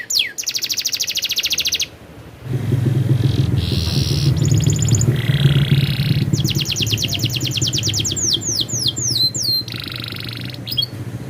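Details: Canary singing a very active rolling song: fast high buzzy trills in bursts, some sweeping whistled notes near the end, over a steady low rumbling hum in the background.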